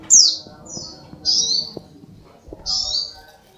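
Little Spiderhunter giving four harsh, very high, slightly falling notes about a second apart, over a faint low background rumble.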